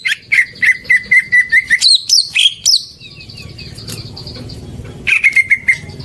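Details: Greater green leafbird song as a lure for silent birds: a series of about ten rhythmic whistled notes, sharp rising chirps, a quieter gap, then another run of repeated whistles.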